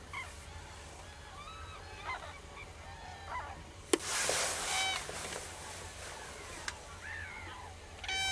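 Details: Common crane calling: a series of harmonic honking notes, some rising and falling, repeated irregularly, with a sharp crack and a burst of rushing broadband noise midway and steady low rumble beneath.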